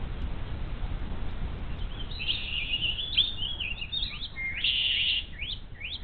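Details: Bald eagle chicks alone all day in the nest without food, parents absent, Little Miami Conservancy nest, 12 May 2023; high, thin chittering calls repeat rapidly from about two seconds on over steady low rumbling background noise.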